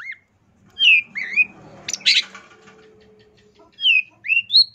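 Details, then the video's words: Long-tailed shrike song used as a training recording for other birds, clear whistled rising and falling slurred notes in short phrases with a harsh burst midway, low steady hum beneath. "MASTERAN CENDET GACOR FULL ISIAN DURASI PANJANG"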